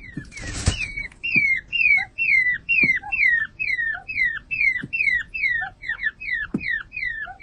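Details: Montezuma quail (Cyrtonyx montezumae), call.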